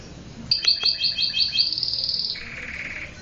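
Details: Domestic canary singing: a rapid run of bright, high notes repeated in quick succession, then a sustained trilled roll, all clear and dominant over a quiet background.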